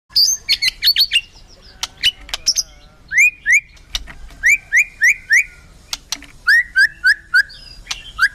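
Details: White-rumped shama in full, energetic song ('gacor, full isian'): a fast, varied run of rich whistles, sharp upslurred notes and clicks, with repeated two-part whistled phrases recurring in series through the second half.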